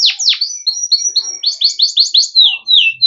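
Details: Singing yellow canary: two sweeping drops, a string of whistled notes, then quick rising chirps in series, ending with a slurred downward whistle; loud and high-pitched throughout.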